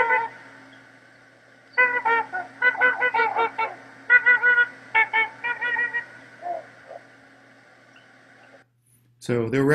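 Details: Two trumpeter swans flying away at about 400–500 m in central British Columbia, late March, give loud, nasal, horn-like honks in quick runs of two to five over a faint steady hum; a man starts speaking at the end.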